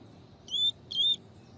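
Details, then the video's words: Double-collared seedeater, 'tui tui' song style, training recording with a female's call used to stimulate males: two clear, steady whistled notes, each about a quarter second long, given in quick succession over a quiet background. "CANTO DO COLEIRO TUI TUI TREINAMENTO COM PIADO DE FÊMEA DE COLEIRO"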